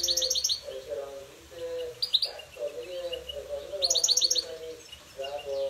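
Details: Goldfinch singing in a singing fight, delivering rapid runs of bright, tinkling repeated notes in quick bursts, with short buzzy twitters between them and a continuous low humming tone underneath.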